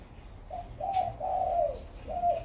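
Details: Tame spotted dove used as a decoy bird, cooing naturally in the full 'hậu một' pattern in the afternoon at 4:30. Four soft, hollow coos in a short phrase: two brief notes, then a long drawn-out coo, then a final falling note.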